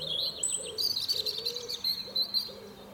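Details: European robin singing in the morning from a fir tree: thin, high, quiet warbling phrases with sweet whistled notes and fine trills, some lower faint sounds beneath.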